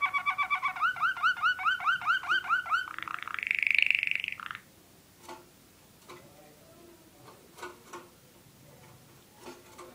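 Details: Caged Waterslager (Malinois) canary singing a tour that imitates the northern cardinal: a fast run of repeated downslurred whistles, then a sustained higher warbled trill ending abruptly, followed by faint clicks and rustling.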